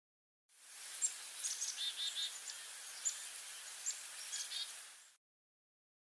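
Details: A black-capped chickadee flock calling from willows along a creek at Spokane Bay on a hot, smoky afternoon near early fall migration: thin, high chips and short call notes scattered through a steady hiss.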